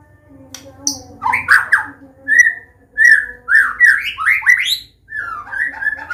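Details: White-rumped shama of the Medan type in loud open-style combination song meant as a lure for learning young birds: mellow, mid-pitched whistled notes in a quick irregular run, some rising sharply, over soft background hum.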